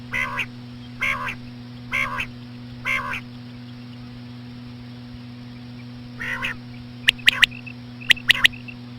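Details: Slow female common quail sounds used to attract quail. Four nasal, rasping notes come about a second apart, then a pause, another rasp, and a burst of crisp high clicks in threes, all over a constant low electrical hum.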